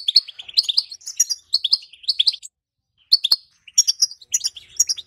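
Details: Female European goldfinch betbeta calling to stimulate males to sing and mate: fast twittering bursts of high chirps, a clear pause in the middle, then more clustered notes.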